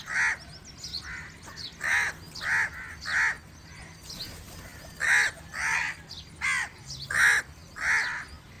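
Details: Crow calling to attract other crows: harsh, separate caws repeated about every second, uneven in spacing, with faint chirps of small birds and a low background rumble.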